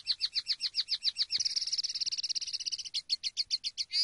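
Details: Common linnet singing on a training recording: a rapid series of bright repeated chirps, about four per second, flowing into a fast buzzy rattle, then back to evenly spaced clipped notes and a final rising whistle.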